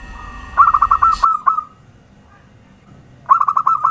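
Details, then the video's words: Zebra dove lure cooing: a quick string of stuttering, bubbly coo notes ends with one drawn-out note, followed by silence, then another fast stuttered coo phrase. "Suara Pancingan perkutut gacor"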